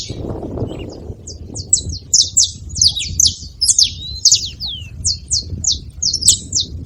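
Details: Wild saffron finches calling at a baited feeding spot: after a quieter opening, high chips and thin falling notes build into steady overlapping chatter over low murmur.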